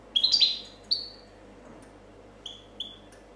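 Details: Clean copia song of a 2014 champion European goldfinch: a quick cluster of ringing, downward-slurred whistles, a single longer falling note, a pause, then two softer, level whistles.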